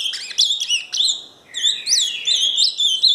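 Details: Ultramarine grosbeak called azulão Paraná, opening with choppy chirped notes, falling quiet briefly, then resuming with rising whistled sweeps and warbled slurs.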